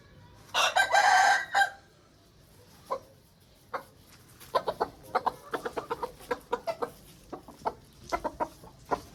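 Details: Aseel rooster producing one short, raspy crow near the start. A rapid series of short, irregular clucks and taps follows, several per second.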